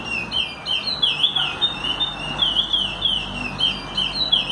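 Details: Teaching song of a curió, the chestnut-bellied seed finch: fluid whistled phrases of rising and falling slurred notes strung together without pause, bright and musical, with a soft steady hiss behind.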